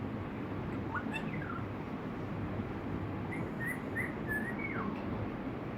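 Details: Rosella whistling: a short rising whistle, a falling slur, then a run of brief level whistled notes and a final downward slide, faint over a steady low background hiss.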